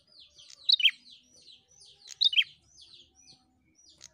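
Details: A prinia song, used to stimulate other prinias to sing, of high, sharp chirping bursts, with a louder double note about every one and a half seconds between softer twittering.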